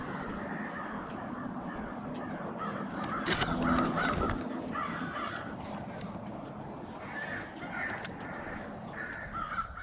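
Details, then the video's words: Crows massing at a winter staging spot on Washington St, Brattleboro, Vermont, 16 February 2021; many overlapping caws from a crowd of birds, a brief louder burst midway, background traffic noise throughout. "Crows staging on Washington St"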